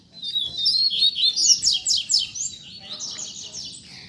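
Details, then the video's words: Rusty-collared seedeater, tutor song used to teach young birds: clear high, rapid warbling with rising whistled slurs and buzzy trilled notes in a continuous four-second phrase, then a fading twitter. "COLEIRO PROFESSOR APRENDIZADO"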